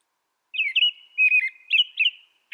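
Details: American robin pouring out about five rapid, fluty, warbling syllables in two seconds, clear and close with a quiet background.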